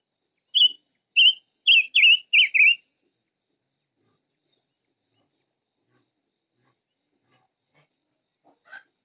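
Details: Five-coloured bird singing: five loud, clear whistled notes in quick succession, each slightly wavering and falling, spaced about half a second apart, followed by several seconds of silence and a faint final note.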